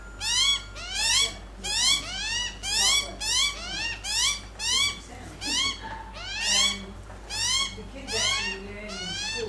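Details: Australian magpies on a lawn while eating bacon: steady run of upward-sweeping nasal calls, several per second, rich in overtones, with a faint low hum behind.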